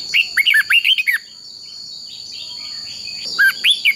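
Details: Quick run of rolling whistled notes from a red-whiskered bulbul in fighting-song training, followed by a pause and another brief whistled phrase, with a steady high whine behind.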